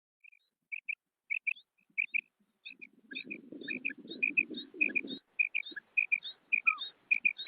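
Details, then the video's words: Female common quail calling: high, clipped paired notes repeated in quick succession, with thin squeaky chirps above them, and a low rumbling noise in the middle stretch. "Female Batair Sound"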